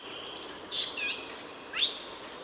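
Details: A Senegal parrot at Verona on 1 September 2012 gives two harsh, high calls: a buzzy squawk followed by a sharp rising whistle-shriek, over a faint steady background hiss.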